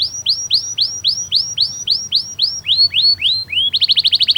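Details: Canary song for tutoring young birds: a series of clear curved whistles repeated about three times a second, gradually lowering, ending in a quick high rattle of short notes.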